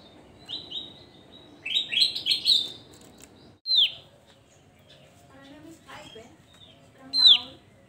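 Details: Javan grey-throated white-eye singing vigorously: scattered high whistled notes, then a dense burst of bright twittering phrases around two seconds, followed by a sharp downslurred whistle and a final loud, clear note near the end.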